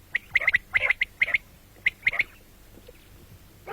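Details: Batair, the common quail, calling morning and night: crisp high-pitched notes in tight groups of two or three, then a pause and a single nasal note.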